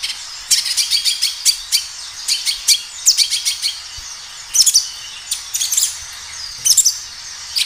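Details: A kinoi sings energetically in the wild, recorded as a lure to make other kinoi start singing: clusters of four to six quick high chirps, repeated in short bouts separated by brief pauses.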